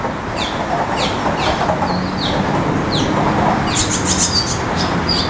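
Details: Barn swallow chicks in a nest, waiting eagerly for food, give short, high, downward-slurred chirps in loose runs, several per second at times, over a steady low rumble like traffic or machinery.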